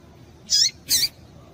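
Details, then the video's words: Pair of quick, piercing chips from a female Double-collared Seedeater, a call meant to stimulate male singing, spaced less than half a second apart with little background noise. "Piado de Fêmea de Coleiro Com Piado de Fêmea de Coleiro Quente para Esquentar Coleiro tui tui"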